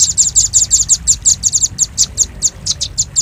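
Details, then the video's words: Velvet-fronted nuthatch lure call: a brisk burst of shrill, clustered chips that slows into single sharp high notes repeated about four times per second. "Suara pikat burung rambatan paruh merah paling ampuh"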